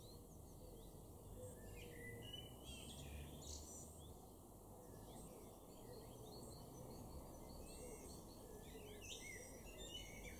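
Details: A Common Blackbird, either male or female, gives quick, bright chirps and chattering notes, several each second, over a steady low background rumble. Recorded in a garden in Weener, East Frisia, northwest Germany, in May 2023.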